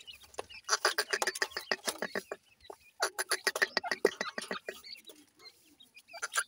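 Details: Black francolin chicks squabbling indoors, producing rapid runs of chirps and clicking taps in dense bursts, with short pauses between flurries.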